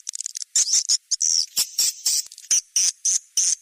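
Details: Swiftlet 'seruling sakti' calling sound for drawing birds to a nest house: a few fast ticking clicks, then a series of high, piercing, buzzy chirps spaced by short silences.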